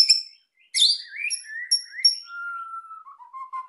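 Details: Singing white-rumped shama, vocal and excited, meant to goad quiet birds into song: high sharp notes, descending slurred whistles, then a long clear steady whistle that drops in pitch at the end.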